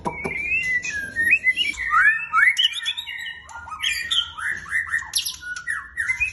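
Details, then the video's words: Fighter black shama in energetic song, stringing together varied whistled phrases, swooping slurs and sharp chips almost without pause, fairly loud and close, with low steady hum underneath. "Black Shama gacor fighter!!"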